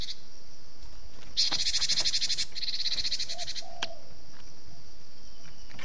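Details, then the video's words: Gelatik batu (Cinereous tit) pinched-bird distress sound used for luring wild tits: one long harsh buzzy churr of about two seconds, broken into rapid pulses, followed by a brief faint whistle over constant high hiss. "SUARA BURUNG GELATIK BATU PALING AMPUH || suara gelatik batu kejepit."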